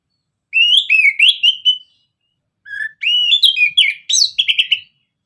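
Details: Orange-headed thrush singing ngeplong style as a lure: two loud, clear phrases of rapid, slurred whistles with sharp high flourishes, each about one and a half seconds long, separated by a brief pause.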